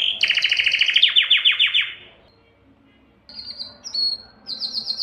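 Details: Male canary song for attracting females to breed: a fast trill slowing into descending rolled notes, a second of silence, then thin high whistled notes.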